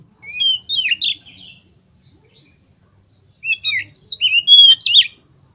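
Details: A white-rumped shama gives ngeplong song, said to trigger other shamas into singing: short warbled phrase, a pause of nearly two seconds, then a longer series of loud looping whistles and quick slurred notes.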